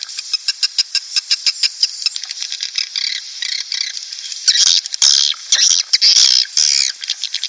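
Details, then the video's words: Swiftlets in a recording meant to lure birds in breeding mood into a nest house: a steady run of sharp clicks, then denser bursts of shrill, buzzy twittering in the second half. "SP Walet Klimax 2019"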